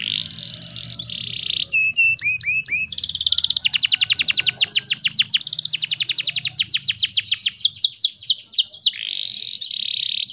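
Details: Female canary in breeding condition singing to provoke males: opens with a buzzy sustained tone and quick upslurs, then a long rapid series of bright downward-sweeping notes, ending in a buzzy trill, over a faint low hum.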